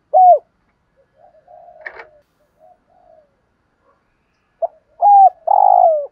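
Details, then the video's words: Spotted dove singing in the thổ sấm voice: one loud arched hoot, quiet murmured cooing with a faint click, then a loud hoot and a long throbbing coo. "chim cu gáy ra nhiều bài"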